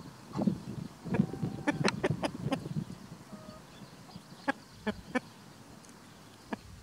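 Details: Free-ranging chickens with a white rooster guarding them while foraging in spring: a burst of low clucking and short sharp clicks, then a brief tonal note and a few spaced clucks fading out.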